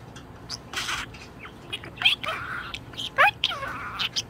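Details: Pet budgerigar in a very good mood, giving scattered short chirps and quick warbled bursts, some sliding up and down, separated by brief pauses in an indoor setting.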